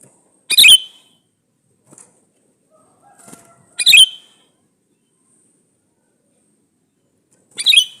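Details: Male sooty-headed bulbul calling a female as a lure for other bulbuls. Loud, scratchy, bubbling double notes repeat about every three to four seconds, with a few faint clicks in the gaps.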